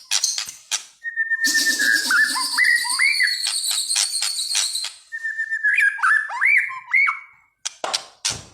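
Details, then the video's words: Agitated white-rumped shama singing vigorously, with two phrases of steady whistles followed by quick upward-sweeping notes, separated by a pause. A bright hissing rattle and sharp clicks run underneath. "burung murai batu gacor"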